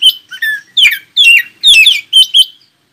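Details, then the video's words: Oriental magpie-robin song meant to make other magpie-robins answer and sing: about seven loud, quick phrases of clear whistles sliding downward, mixed with harsh scratchy bursts, ending in a short trill. "KACER ANDA LANGSUNG IKUTAN NYAUT dan NGOBRA JIKA DENGAR SUARA KACER INI"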